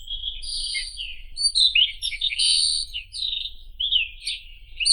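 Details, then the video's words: White-throated robin (Irania gutturalis) singing a varied, high, scratchy warble of quick twittering and whistled phrases with sudden jumps in pitch, delivered continuously over a faint low hum. "Как поёт Соловей белошейка (Irania gutturalis)"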